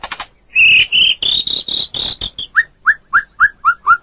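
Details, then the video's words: Song of a white-rumped shama for tutoring other birds: a series of sustained, slightly rising whistles, followed by a string of short, evenly spaced downslurred notes. "Masteran burung murai batu durasi panjang burung gacor owor owor"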